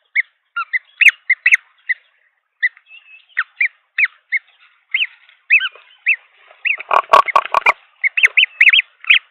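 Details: Green wood hoopoe nest in Pretoria, South Africa, December 2022, three hatchlings being fed: short rising chattering notes repeated irregularly, a dense scratchy burst of calls near the end, with clicking knocks.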